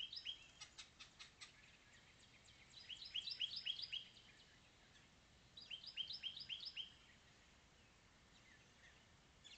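House finch singing three quick bursts of bright, high chirping notes, each note slurring downward, with short pauses between phrases over a quiet background.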